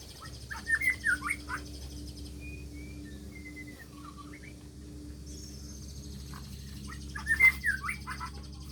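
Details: Magpie-robin singing lively at a plantation in Neipu: clusters of sharp, sliding whistled notes open and close the passage, with a few drawn-out clear whistles between, over a low steady hum.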